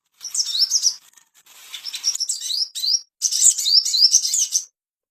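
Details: Ashy tailorbird song intended to bring on breeding condition, several bursts of fast, shrill upward-sweeping notes separated by short gaps, with a softer, scratchy passage in between.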